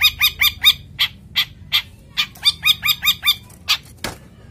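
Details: Male long-tailed shrike in breeding condition, a kept bird, gives quick bursts of stacked squeaky notes in short runs of four or five, with brief pauses and a final harsh note.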